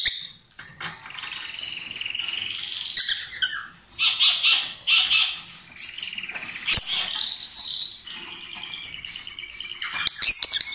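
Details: Pair of lovebirds billing and possibly feeding each other amid loud song: near-continuous grating, buzzy chatter mixed with shrill squeaks and sharp clicks, busy throughout.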